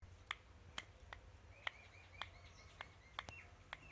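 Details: An Indian ringneck parrot makes sharp, dry clicks roughly every half second, mixed with soft, thin whistled notes, in a quiet room with a low background hum.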